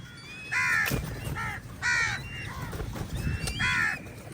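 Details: Crows fighting with eagles for a meal: loud, hoarse, nasal caws in short rasping bursts, about three clear calls spaced more than a second apart, over a low background rumble and faint chatter of other birds.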